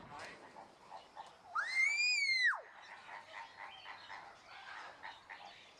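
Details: Crested myna producing one loud, clear whistle that rises, holds steady for about a second and then drops sharply, set against faint chattering bird sounds in the background.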